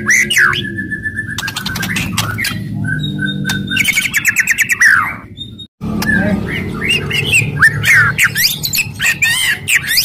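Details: Aggressive White-rumped shama song meant to excite rival shamas: rapid buzzy rattles, rising whistles and harsh crackling bursts, a brief pause near the middle, then dense whistled phrases and chatter, with a low background hum.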